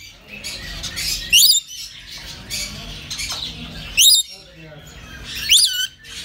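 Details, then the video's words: A red lory (Eos bornea) in Azizya, Riyadh, Saudi Arabia gives three loud, harsh, rising screeches about two seconds apart, over a steady indoor background hum with faint chatter. "Red Lory Parrot"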